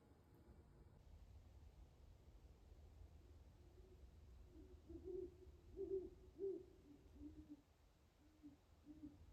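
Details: An owl finishing its night of hunting, just before dawn beside an ice-covered pond in Carver, Massachusetts, gives low, soft hoots around 350–400 Hz in a short irregular series of three or four notes, over a faint steady rumble.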